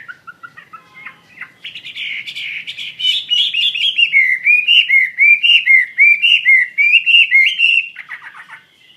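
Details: Wambi mandarin bird in full, active song. A few soft notes open into a rapid chain of loud, looping whistled phrases that rise and fall in a steady rhythm, then fade into a short chatter at the end.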